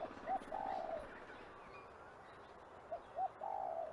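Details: Spot-winged pigeon call: two short clipped notes then a longer, low, slightly falling drawn-out note, the phrase given twice against a steady background hiss.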